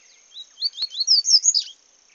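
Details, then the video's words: In the bush, a paca capim sings a fast sequence of high, thin upslurred whistles, rising and strengthening into a tumbling cluster of bright chirps; one sharp click is heard partway through. "paca capim cantando no mato"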